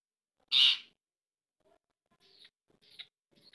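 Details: Green ringneck parrots at home: one loud, harsh screech, then a string of soft, murmured speech-like syllables in short bursts.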